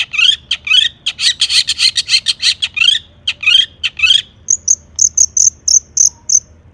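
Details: Long-tailed shrike in energetic full-mimicry song, used as a lure to set other shrikes singing: harsh buzzy chattering bursts in rapid series for four seconds, then a run of clipped high whistled notes about every quarter second.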